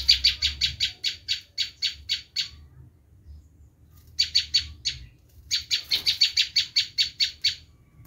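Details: Bar-winged prinia screaming, a lure call for wild prinias: long series of sharp, buzzy high notes repeated about four per second in two extended runs separated by a brief silence. Low background noise.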